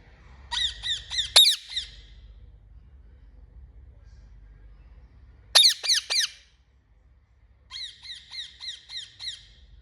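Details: A parrot calls in three separate bursts of rapid, raspy, harmonic squawks. The first burst ends in a sharp shriek, the second is a short loud cluster, and the last is a softer, even run of six notes, separated by quiet pauses.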